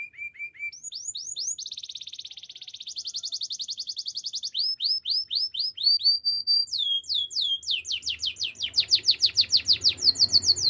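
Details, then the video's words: A canary in full song: short low chips, then long series of fast repeated syllables at changing pitches, rising whistled swoops and rapid slurred notes, getting louder toward the end, with a faint hum late. "Your canary will sing everyday fullspeed"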